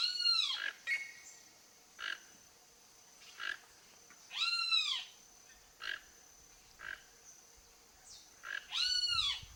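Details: Backyard visit by a wild toco toucan seeking food: three hoarse, curving croaks about four seconds apart, with scattered short, clipped notes between them.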